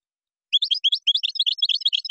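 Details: Goldfinch in Moroccan song style, Morocco: a brief, quick burst of high, liquid twittering notes following each other in a rapid, jumbled sequence.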